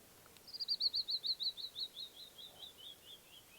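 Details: Morning song of a hidden wild canyon wren in Navajo canyon country: loud, clear whistles tumbling downward in a rapid series of about sixteen notes, loudest at the start and fading as the cascade slows and drops.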